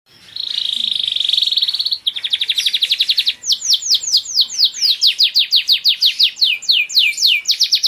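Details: Caged Giboso Español canaries singing: a steady buzzy high trill, then a quicker rattling trill, then a run of loud downward-sweeping whistled notes repeated about twice a second.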